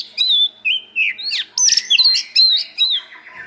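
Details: White-rumped shama song, part of training a selected shama with several good-voiced birds to build varied song. Loud, pure whistles and slurs, some rising and some dropping, delivered in fast, uneven bursts with brief gaps.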